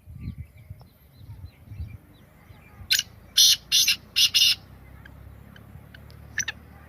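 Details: Black francolin, known locally as kala teetar, giving a harsh, grating call of four loud broadband notes, the last two closely paired, followed by one faint note, over a low rumbling background.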